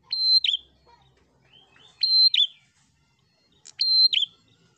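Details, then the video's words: Prinia song meant to provoke rivals: three loud phrases nearly two seconds apart, each a sharp tick, a sustained high whistle and a downward flick, with faint soft notes between. "Burung Prenjak Gacor Fighter l Ampuh Pancing Em0si Prenjak Ombyokan"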